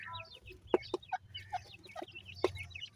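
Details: Young dakhni teetar francolins, a pair, make soft high cheeps and short wavering chirps, punctuated by a few louder, lower clucking notes, over a faint electrical hum.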